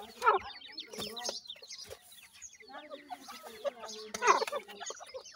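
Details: Ring-necked pheasant chicks kept in captivity, calling while feeding: rapid strings of thin descending peeps from several birds, louder bursts near the start and end, with a human voice in the background.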